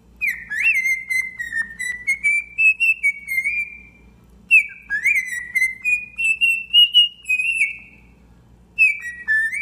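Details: Domesticated pet cockatiel whistling a song: long, slurred, clear whistled phrases that wander up and down in pitch, separated by a short pause, then a new phrase begins.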